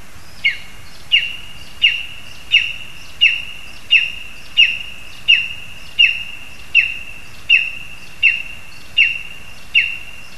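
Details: Insistent series of lesser spotted eagle yelps from a spruce in Zemgale, Latvia, as a frog is brought for the young; about fifteen high, shrill, down-slurred notes in even rhythm, one roughly every 0.7 seconds.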